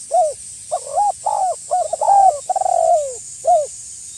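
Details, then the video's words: Prolific spotted dove calling a rival, lure for wild doves. Dense string of mellow coos, a quick fluttering run then a long drawn-out sliding note and a final short coo, steady background hiss. "SUARA BURUNG TEKUKUR GACOR MEMANGGIL LAWAN AGAR BUNYI"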